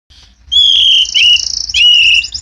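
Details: White-rumped shama kept at a bird farm; loud, clear whistled phrases, long level notes sliding slightly, then a fast trilled flourish and another drawn-out whistle, with a low hum underneath.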